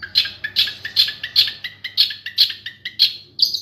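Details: Long-tailed shrike in a master recording for song training, giving loud harsh chip notes repeated about every 0.4 seconds in a steady series.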